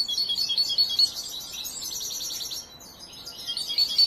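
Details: Young European goldfinch, watched from hatching and still being trained, its song not yet finished: high tinkling twitter with repeated thin whistled notes early on, a quieter jumbled stretch, then bright twitters again at the end.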